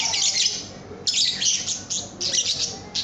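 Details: Lovebird chattering as a training recording for cage birds: piercing, scratchy twitter in quick bursts separated by brief breaks.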